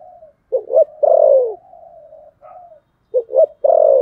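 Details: Spotted dove giving fighting coos: soft drawn-out hums broken by loud three-part coos, two clipped notes and a longer falling note, twice in quick succession.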